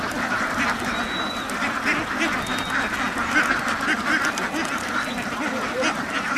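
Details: Duck farm flock in full voice, crowded overlapping quacks throughout, with a few thin, high whistled notes over the din.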